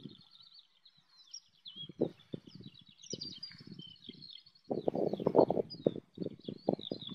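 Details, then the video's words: Skylarks over a wheat field near Bath, England, singing in flight and recorded by phone. A thin, high, unbroken warble runs throughout, partly masked by loud low rumbling bursts of wind or handling noise. "Skylarks singing in flight"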